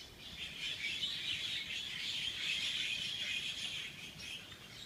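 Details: Dense high-pitched bird twittering, a steady stream of short bright chirps from several birds at once, with no other clear sounds.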